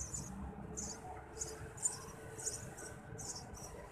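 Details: Eurasian tree sparrow young calling to be fed by their parent, giving loud high squeaky bursts every half second or so against quiet low background noise.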